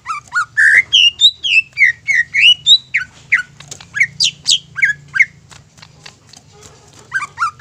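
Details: Greater green leafbird singing to provoke rival leafbirds; loud rapid whistled phrases, slurred up and down, about three notes per second, tapering to quieter notes with a short final flourish.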